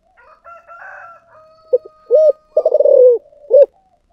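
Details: Spotted dove of the 'thổ sấm' voice style from Vietnam: soft quiet lead-in murmurs, then a sharp short coo, a long buzzy falling coo and a closing brief coo; a thin steady whistle-like tone runs underneath.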